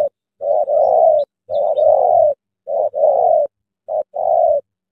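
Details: Tame decoy spotted dove calling to lure in a big wild spotted dove in the early morning, giving low hoarse two-part coos, a brief clipped note followed by a drawn-out rolling one, in regular series.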